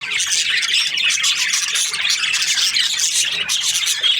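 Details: Australian budgerigars during breeding season, a flock chirping together: a dense, continuous wash of high overlapping chatter and squeaky notes with no pauses.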